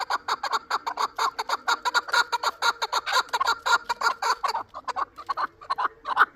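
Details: Chukar from Shurobod, a bird hatched last year, keeping up a steady stream of rapid, evenly paced clucking notes, slightly slowing and breaking up near the end.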